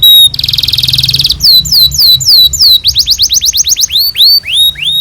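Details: Canary song used as a training recording for young canaries: a long fast trill, then repeated clear downslurred whistles, then a quicker run of rising and falling chirps, all high-pitched and loud.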